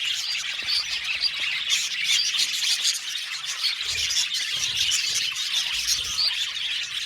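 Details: Budgerigars in a colony aviary calling all at once: thick high chirping and squawking chatter, sprinkled with short clear whistled notes, continuous and even in volume throughout.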